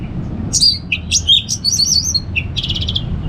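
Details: Orange-headed thrush kept in a cage in northern Bali, pouring out a fast jumble of high squeaky whistles, chips and short buzzy trills, over low steady noise.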